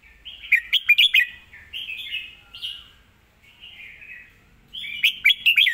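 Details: Red-whiskered bulbul song with clear delivery and quick articulation: a fast string of sharp chirps, then a few slurred whistled phrases, ending with another rapid run of bright chirping notes.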